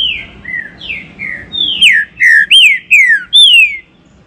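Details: Green-winged saltator, captive, singing a warm-up song played to excite other caged birds: a loud series of clear whistled notes, each sliding down or arching, about two per second, with the later notes stronger and closer together. Background is quiet.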